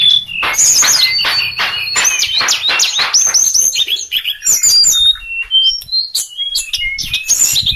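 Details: A sulingan songbird singing a rich, continuous medley of high whistled phrases, quick slurs, chips and short trills, later turning to spaced, clear whistled notes.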